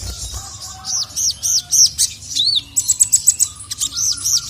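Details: Ruby-cheeked sunbird, known locally as sogon, the female calling while the male responds angrily: arched, down-slurred high whistles repeated several times, then a fast stutter of sharp chirps and more arched notes.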